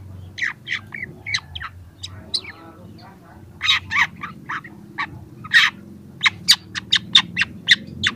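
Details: Young long-tailed shrike in full song, used as a training and lure recording for reluctant birds: sharp, high chipping notes in irregular bursts, quickening into a rapid run of clipped notes near the end, over a low hum.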